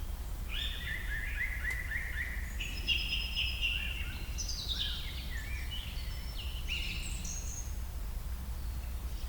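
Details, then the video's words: Several songbirds sing in a shady part of the forest of Bazos, Romania. Their high whistled and trilling phrases overlap, some rising and some falling, over a steady low rumble of background noise. "Lovely bird sounds in the woods"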